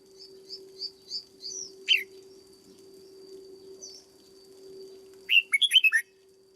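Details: Caged red-whiskered bulbul under training: a string of soft, high, rhythmic chirps and one sharp note, then a fast, rich, warbled phrase of about six notes at the end, with a steady hum behind.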